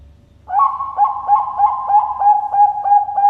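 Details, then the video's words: Bangkok perkutut (zebra dove), a captive bird at a Sidoarjo farm in East Java, Indonesia, starting abruptly with a fast, rolling chain of about ten soft hooting coos, roughly three per second, still going when the sound cuts off. "PERKUTUT BANGKOK SUARA LENGKAP"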